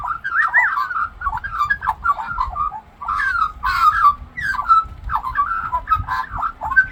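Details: A talking Australian magpie (Gymnorhina tibicen) sings a steady run of warbled, whistled phrases, mimicking other birds. The song has quick pitch swoops and a few harsher notes over a faint low hum.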